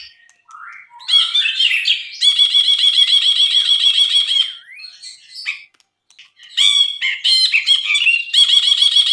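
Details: Gacor Brinji (bulbul) for masteran tutoring: rising scratchy warbles lead into a long rapid buzzing trill, a soft twittering interlude, then further harsh chattering trills.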